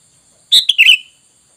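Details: Single loud, bubbly phrase from a sooty-headed bulbul, a rapid cluster of bright chirps sliding downward, from a lure recording intended to make wild bulbuls answer.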